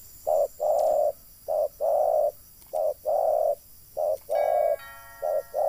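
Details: Spotted dove cooing during a trapping session for wild doves: steady low coos in short-then-long pairs, repeated about once a second, with a brief electronic tone sounding partway through.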